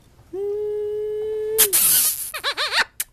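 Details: Pet Eclectus parrot indoors with its owner: a long, steady, mid-pitched whistled tone, then a harsh noisy burst, then three quick wavering squeaky notes and a final short click.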